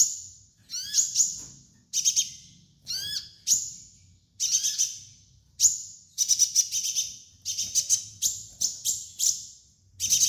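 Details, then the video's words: Training master song of a kolibri ninja sunbird: rapid high twittering bursts and short buzzy trills, some notes slurring down, delivered in steady clusters about every half second to second, quiet low hum behind. "MASTERAN KOLIBRI NINJA DAN TERAPI KONIN BAHAN"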